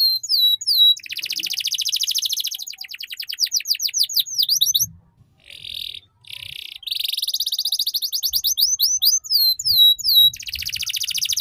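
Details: Canary tutor song for young canaries learning the ngeriwik style: buzzy rolls and fast downward-sweeping notes, a brief pause with scattered bits, then more rapid trills and high sweeping whistles.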